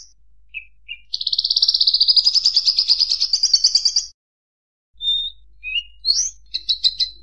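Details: Bushlark singing a long fast buzzy trill of evenly pulsed notes that rises slightly over three seconds, then a pause before scattered short whistled and chirped notes at varied pitches.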